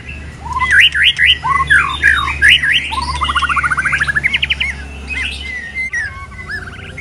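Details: Moulting white-rumped shama in 'kéo thuốc Lào' song: loud swooping zigzag whistles, then a rapid even bubbling trill of repeated notes about two seconds long, followed by quieter whistles, with a low steady hum behind.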